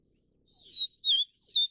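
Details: A Niltava vivida vivida feeding young utters three drawn-out high whistles in quick succession: a long sliding note, a short lower one, then a rising and falling note.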